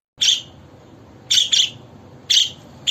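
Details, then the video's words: A pet budgerigar gives short, bright, scratchy chirps in bursts about once a second, some doubled, in a quiet room; described as its happiest song, meaning a contented, well-fed bird. "Duydunuz mu o melodiyi? Bu bir muhabbet kuşunun en mutlu anıdır."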